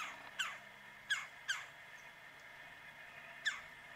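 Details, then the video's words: On a frigid mid-January morning near 9 am at minus 9 degrees F, a woodpecker calls from a tree roughly 45 yards off: four abrupt, harsh descending notes, three grouped early and one later, against quiet steady hum. "Woodpecker Calling On a Cold Winter Morning"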